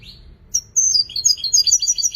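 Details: Goldfinch singing a short run: a single high note, then a stream of clear, rapidly repeated twittering notes with whistled glides, loud and close.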